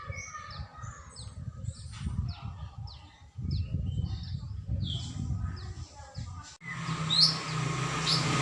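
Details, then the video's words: Greater green leafbird singing on 21 December 2024, a varied run of clear whistled notes and quick downslurred chips at a steady pace, with a low rumbling background and a louder noisy burst near the end. "Burung cucak ijo gacor"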